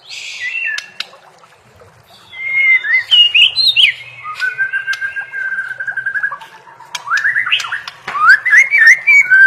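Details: White-rumped shama singing a varied whistled song: warbling phrases, a long flat whistle, then rapid twisting notes, with occasional sharp clicks in the background.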